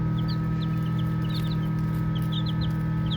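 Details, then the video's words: Soft peeps from playful baby chicks come in scattered pairs and small groups of brief sliding notes with short gaps between, set against a steady deep electrical hum. "Baby Chicks Chirping Sounds"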